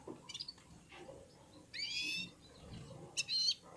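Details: Several red-fronted serins sing together in unison as they warm up, other birds nearby; drawn-out buzzy twittering phrases alternate with brief high chips and pauses.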